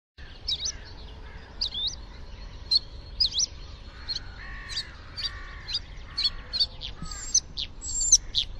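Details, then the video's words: Bluethroat singing a varied phrase of short high chirps and quick upward flicks, mixed with lower, steadier warbled notes, against a faint low rumble of background noise. "gorge bleue"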